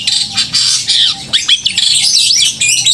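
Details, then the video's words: Long-tailed shrike in full, loud, crystal-clear song used to provoke emotion and mating urge in other shrikes: rapid high chattering phrases, sharp upward and downward whistled sweeps and squeaky notes, with a faint steady low tone under it. "Cendet gacor suara kristal dan keras cocok untuk memancing emosi dan birahi cendet"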